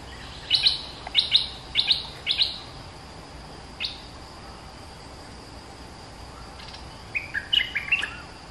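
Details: Caged bulbul of the white-clawed type, kept two months in its cage and used as a lure bird, sings: bright chirped notes in quick pairs through the first three seconds, a lone note near four seconds, then a short twittering phrase, over steady hiss.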